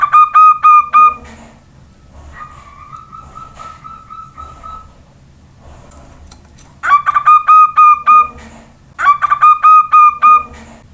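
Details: Local juvenile zebra dove responding to whistling: a burst of fast staccato coos, then a person's long flat whistle, followed by two more rapid bursts of clipped, evenly repeated notes.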